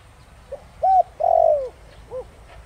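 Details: Spotted dove, Thổ Đồng style, used to provoke wild doves into calling back. A single phrase of soft note, clear coo, long falling coo and a short final note, with faint background noise.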